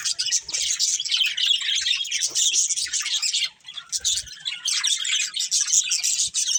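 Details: Pet budgerigar breeding pair giving a steady stream of high, scratchy chattering chirps and warbles, briefly pausing midway before resuming the busy twittering, with occasional harsher squawk notes.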